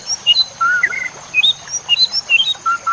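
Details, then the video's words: White-rumped shama singing for songbird training (masteran): clear, pure whistled notes jumping between high and lower pitches in quick succession, about ten short phrases in three seconds. "Masteran Murai Batu Full Isian"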